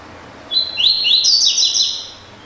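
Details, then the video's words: Double-collared seedeater singing the classic 'tui tui' song type: a quick run of high, sweeping whistled notes lasting about one and a half seconds, with nothing else heard. "COLEIRO DE GOLA TUI TUI CLÁSSICO"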